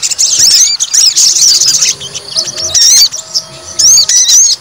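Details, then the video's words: A white-rumped shama fighter goaded into aggression sings bursts of shrill, looping whistles and steep upward sweeps in loud clusters, separated by short quieter gaps. "PANCING EMOSI TES MENTAL FIGHTER SOGON"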